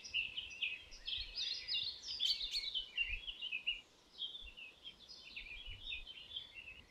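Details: Canary song of bright, rapid warbling and chirping notes in bursts, with a constant hiss and faint low thumps behind.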